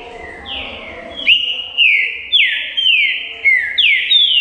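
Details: Green-winged saltator song: a run of loud, clear whistled notes, each sliding downward, repeated roughly twice a second in a steady series over a low background hum.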